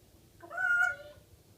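An African grey parrot gives one drawn-out, meow-like tonal call about half a second long, swelling and then fading, in an otherwise quiet room.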